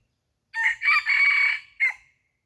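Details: Red junglefowl decoy bird crowing to lure wild junglefowl: one loud crow lasting about a second and a half, a short opening note, then a long sustained strained middle phrase, ending in a brief clipped note, against a silent background.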